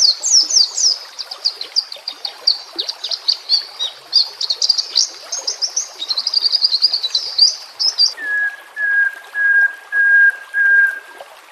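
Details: White-rumped shama song used as a master recording to train and lure shama: eight seconds of rapid, varied, high warbling and chattering phrases, then five evenly spaced, lower, clear whistled notes.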